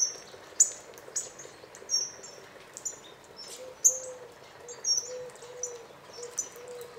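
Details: Flock of hawfinches at a bird feeder in northern Hungary. High, sharp ticking calls repeat irregularly, and a soft, lower, hooting tone runs through the background.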